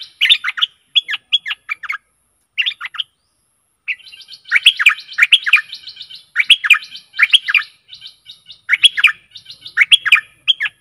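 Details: Stripe-throated bulbul decoy song for aggressive wild birds: repeated bouncy phrases of rich warbling notes, a short pause, then steady, rhythmic bubbling phrases to the end.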